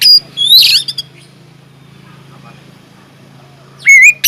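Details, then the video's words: Oriental magpie-robin singing inside an aviary, used as a lure to get other birds singing; a loud, sharp whistled burst with a buzzy upward sweep opens, a long quiet gap follows, then a clear, wavering whistled phrase closes. "BURUNG KACER GACOR DIDALAM UMBARAN"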